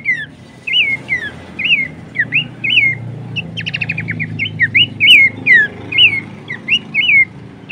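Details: Horsfield's babbler, recorded as a lure and training track: lively sequence of looping whistles, interrupted by a fast stuttering series of short notes, then steady upslurred and downslurred whistles continue.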